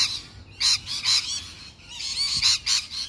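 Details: Wild lorikeets, noisy colourful birds common in Melbourne suburbs, Australia, give harsh, rasping screeches in short bursts, about five in three seconds, high-pitched and grating, with a faint low hum underneath.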